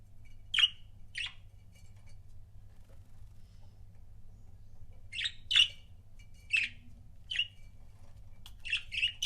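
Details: Pet budgerigar couples: about nine short, harsh chirps, with a pair early on, a long quiet gap, then a loose run of chirps toward the end, over a low steady hum.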